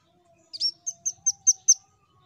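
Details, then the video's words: Rambatan, or velvet-fronted nuthatch, singing to prompt other birds to sing: a quick series of six high, sharp chirps, evenly spaced about every fifth of a second, against a quiet background with a faint low hum. "Suara Burung Rambatan Untuk Pancing Bunyi"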